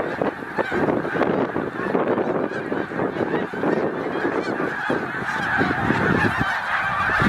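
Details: About 100,000 snow geese on migration at Middle Creek Wildlife Refuge, late February to March: steady chorus of countless overlapping honks, growing louder and busier toward the end.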